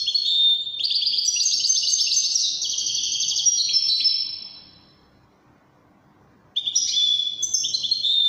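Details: Moroccan Wedani-style song from a European goldfinch: a long, rapid, continuous run of high twittering and trilled notes lasting around four seconds, a silent pause, then a fresh burst of bright, jangling phrases.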